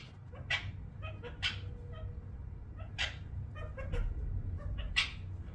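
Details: Pet ring-necked parakeet making happy sounds indoors: short, sharp chirps and squeaks in scattered bursts, a few louder notes near the start and end, over a steady low hum.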